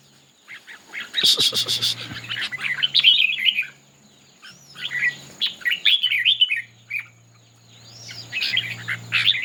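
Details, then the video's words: Red-whiskered bulbul in a singing contest, displaying well: long stretches of rapid, warbling, whistled chatter in three bursts, opening with a brief rattling clatter, with a low hum beneath. "Noog Diab Quaj Zoo Heev ll Chim Chào Mào Hót Đấu"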